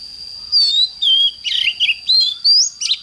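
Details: Morning song of an oriental magpie-robin: bright whistled notes mixed with short buzzy, scratchy phrases, delivered in quick bursts with brief pauses, a constant thin high tone running underneath.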